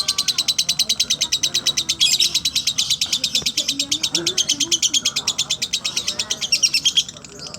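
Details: A lovebird performs slow ngekek: a long, fast, even run of piercing high pulses, about six a second, holding steady for seven seconds before stopping, with low murmuring voices in the background.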